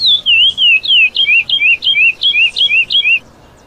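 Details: Classic praia song of a lesser seed finch, a tutoring recording for young birds: rapid run of bright whistled notes, each dipping then rising in a swooping slur, repeated about three times a second before ending in silence.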